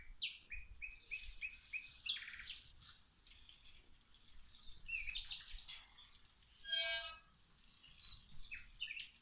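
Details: Garden birds singing during plant watering, a rhythmic run of high chirped notes, then scattered twitters, interrupted near the end by a brief hiss of spraying water.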